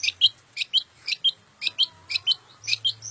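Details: Long-tailed shrike singing short, sharp chirped notes in pairs and triplets, bright and slightly buzzy, repeated roughly once a second over a quiet background with a faint low hum.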